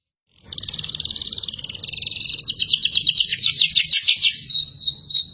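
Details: Gacor canary song used as a master recording for training other birds: continuous high trills and rapid rattling notes, faster and louder after two seconds, with a faint low hum beneath.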